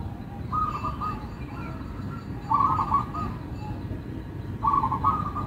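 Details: Melodious local zebra dove: clipped bubbling coo phrases roughly every two seconds, each a short rapid rattle of notes, over steady low background noise.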